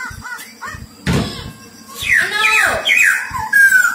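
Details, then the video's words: Black-throated laughingthrush, a decoy bird for trapping, singing loud, rich whistled phrases with sweeping rising and falling notes, with a thud and low rhythmic knocking in the background. "Khướu bạc má hót hay"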